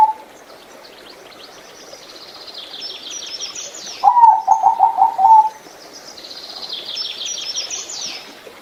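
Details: A zebra dove (Geopelia striata) gives a quick run of about eight soft, staccato coos over a second and a half, while other small birds twitter high before and after.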